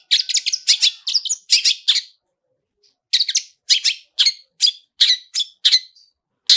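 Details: Long-tailed shrike with a "toet toet" sound and rich mimicked filler, used as a lure to set other shrikes singing: harsh, buzzy, broad chattering notes in quick bursts, a pause, then evenly spaced rasping notes about every half second.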